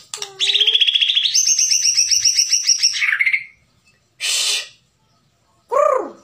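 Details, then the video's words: White-rumped shama of the Bahorok type delivering a fast, rattling trill of rapid repeated notes that steps up in pitch midway, followed by a burst of noise and a downward-curving whistled note. "Burung Murai Batu Bahorok"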